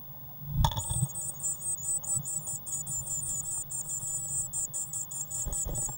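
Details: Eurasian blue tit chicks in a nest box, 1 June 2016: a thump sets off an eager burst of very high, rapid squeaking calls that carries on in regular pulses, with a few soft bumps late on.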